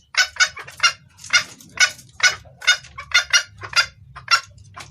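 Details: Red junglefowl hen calling a cock, a clear lure voice. Rapid, rasping clucks, some doubled, run at about two per second with uneven spacing, over a quiet low hum.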